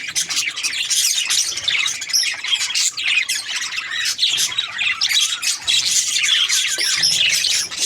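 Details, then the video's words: Budgerigars chirping together: a dense, continuous chatter of many high warbling, twittering and squeaky notes overlapping without pause. "Budgies Parrot chirping sound | parakeet sounds"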